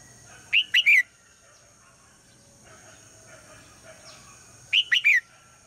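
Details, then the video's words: Female red-whiskered bulbul calling at dawn to draw song from the male; two clear, quick three-note whistled phrases about four seconds apart, with faint background chirps and a high steady hiss. "นกหัวจุก birds - นกตัวเมียร้องตอนเช้าเพื่อเรียกนกตัวผู้ให้ร้องเสียงดังฟังชัด"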